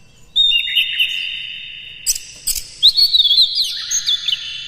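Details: White-rumped shama song as a lure to excite another shama: a long whistled note dropping into a twisting phrase, clicks, then a quick high warble.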